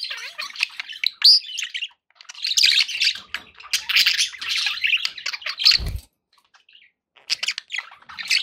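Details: Pet budgerigars chirping, a busy stream of short buzzy and squeaky notes with warbling chatter, pausing briefly near the six-second mark before resuming, with a soft knock.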